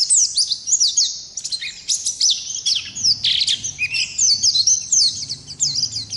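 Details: Ngalas-type Oriental white-eye singing an extended ngerol song meant as a masteran tutor: energetic, very high squeaky twitters and zigzag whistles tumbling rapidly, with a soft low background rumble in the second half.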